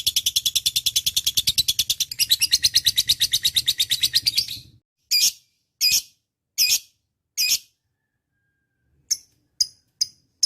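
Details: Dense, grating lovebird chatter for about four and a half seconds, followed by several loud, separated squeaky calls and a few shorter chips spaced across the remaining seconds.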